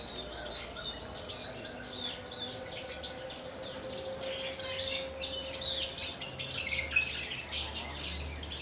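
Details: Caged Javan bush lark from Kulon Progo, one of a large collection, singing a dense run of high, scratchy chirps and short trills with a faint steady hum underneath.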